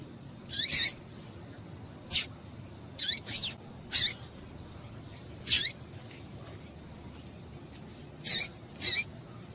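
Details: Stimulating calls of a female double-collared seedeater for a male: a run of high, sharp chirps, often in pairs, with slight downward sweeps, roughly every one to two seconds.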